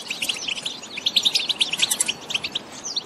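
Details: A European goldfinch sings a fast, bright stream of tinkling, twittering notes and liquid trills, high-pitched and continuous, over a faint hiss; song used to stimulate other goldfinches to sing.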